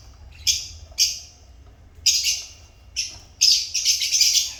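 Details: Lovebirds kept as pets, loud shrill chirps given singly at first, roughly every second, then running together into a fast, harsh chattering burst at the end.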